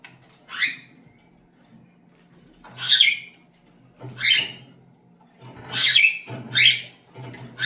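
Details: Cockatiel giving harsh, screechy squawks in separate bursts, about five over eight seconds, some doubled, indoors with a faint low hum in the background.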